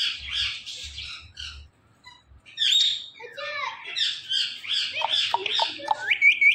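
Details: Chatty pet Indian ringneck parrot mixing raspy speech-like syllables with squawks, bent whistles and a closing burst of rapid high squeaks; faint low rumble in the background.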